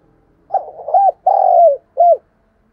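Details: Spotted dove kept as a decoy, calling to draw in wild doves: a four-part mellow phrase of a stammering opening, a longer sustained coo dropping at the end, and a short final note. Faint low hum underneath.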